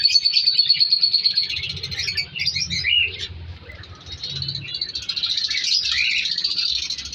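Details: Captive colour lovebird breeding colony in an aviary: a bright sustained chirping chorus opens, dips into softer scattered squeaks midway, then rises into busy overlapping chatter.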